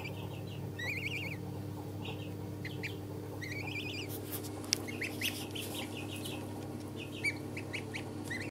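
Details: Chinese goose chicks at three days old, a few giving wavering trilled peeps and short high chips at irregular intervals against a steady low hum and faint clicks.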